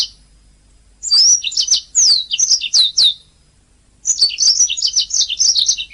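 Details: Canary song as master material for training caged songbirds: loud downslurred whistles in quick succession, then after a pause a fast, jumbled high twitter.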